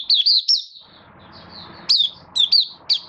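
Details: Caged Malaysian Oriental white-eye in minor moult, singing high, thin whistled notes that swoop down and rise, given in short bursts with a long quiet gap and faint low background hum.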